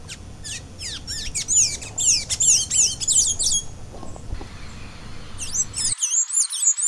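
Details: Blue-gray tanager (Thraupis episcopus) delivering a fast run of squeaky, slurred, high notes for about three seconds. After a brief lull, a second twittering burst follows over a low background rumble.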